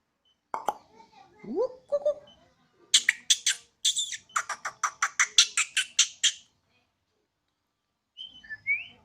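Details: Bornean White-rumped shama, known as murai odong-odong, kept at home and singing eagerly on a terrace: scattered slurred whistles and a rising sweep, then a rapid sequence of harsh, crackling bursts, and a final short upward whistle.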